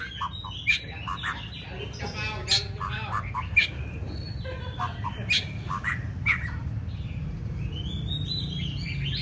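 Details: White-rumped shama trained for a singing contest, a mix of chattering notes, harsh buzzy bursts and short whistles over a steady low hum.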